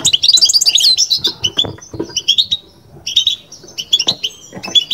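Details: European goldfinch performing the bitbita song: a dense, rapid opening of sharp high twittering, then spaced, buzzy chirped phrases with brief pauses and occasional soft knocking below.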